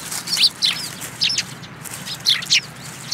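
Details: Eurasian tree sparrows gathering to be fed at a Tenmangū shrine in February 2022 give a busy run of high, sharp chirps and twitters, some in quick pairs, about a dozen notes in three seconds.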